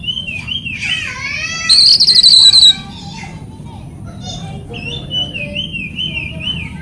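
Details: Oriental magpie-robin (kacer) training song for mute or stalled birds: wavering slurred whistles, a brief loud buzzy high trill, quieter pause, then a long undulating whistle.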